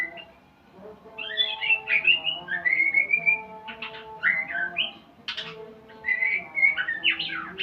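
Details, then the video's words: Shama practising new sounds: bright warbled whistles and trills in clustered bursts with short pauses, plus brief sharp notes. A continuous low tonal hum runs underneath. "Murai pastol belajar Bunyi"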